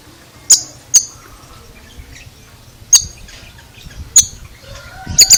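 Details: Strange-sounding Oriental magpie-robin: isolated sharp, high ticking notes every one to two seconds, ending in a quick cluster of clicks with a low rising tone.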